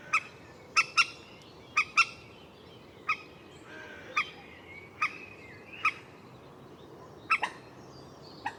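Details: Sharp, hard notes from a common moorhen, some doubled, repeated about once a second in an uneven series against a quiet background.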